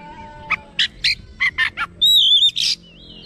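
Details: Oriental magpie-robin (kacer), normally lazy to sing, now agitated and responding, unloading its learned phrases; a string of short chip notes leads into a loud sustained whistle and a harsh burst, with a faint steady tone behind.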